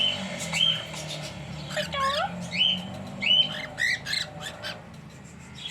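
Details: Pair of cockatiels kept as pets, giving short rising whistled chirps, several with upward-sweeping ends, scattered irregularly about every half second to second, with some harsher squawky notes among them and faint low background hum.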